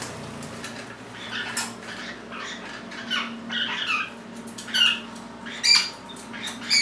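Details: Pet Lineolated parakeets kept together indoors, one pushing in front of the camera; quiet soft chatter builds into louder, sharp whistled chirps, single rising peeps spaced about a second apart toward the end, over a faint room hum.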